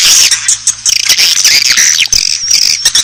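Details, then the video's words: Asian swiftlet calls played as a lure to attract the birds: loud, shrill squawking twitters, a thick stream of high, slightly buzzy chirps with quick clicking notes. "SUARA BURUNG WALET - SUARA -PANGGIL WALET ASIA"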